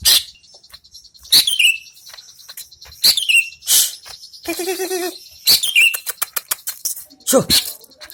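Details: Greater green leafbird heard after its moult: clear high calls with falling slurred endings, given about every one to two seconds, briefly interrupted by a harmonic warbling sound and clicking noises.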